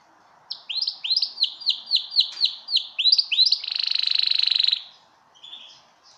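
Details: A male yellow domestic pet canary (Serinus canaria) sings a run of quick, repeated downslurred whistles that ends in a rapid, rolling trill.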